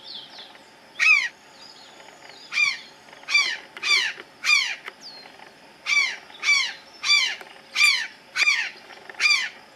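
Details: Azure jay on the top branch of a tree gives a steady string of rough, nasal, falling calls, about twelve in ten seconds, after an initial isolated call.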